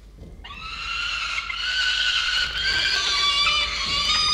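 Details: Peregrine falcon nestlings on camera in November, giving a shrill, sustained wail that starts after a brief hush and swells steadily louder, level and harmonic, lasting almost four seconds.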